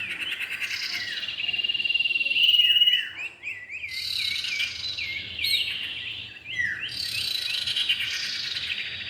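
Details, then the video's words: Common iora, male and female, for luring birds: rapid series of short rising chirps at about four per second, a sustained whistled note, and dense high trilling in several bursts. "pikat burung cipow jantan dan betina"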